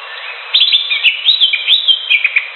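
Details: Wild greater green leafbird delivering a continuous, lively warble of high whistled and chattering notes that rise and fall rapidly for about two seconds.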